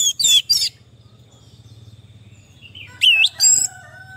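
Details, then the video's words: Orange-headed thrush song for therapy of stressed, non-singing birds: two loud bright phrases open, a quiet gap with a hum follows, then two more swooping whistled phrases and a thin sustained tone. "Terapi Anis merah stres dan macet bunyi"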